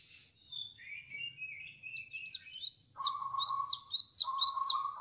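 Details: Chestnut-capped laughingthrush in full 'wiceh wiceh' song: it opens with a wavering, gliding whistle, then gives rapid, bright, downslurred notes over a sustained lower whistled tone that breaks off once and resumes.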